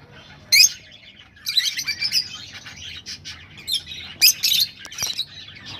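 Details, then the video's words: Rosella breeding-stimulation sounds: one sharp squawk, then a stretch of mixed high warbling chatter, followed by more harsh bursts and a faint click. "تغريد طيور الروز"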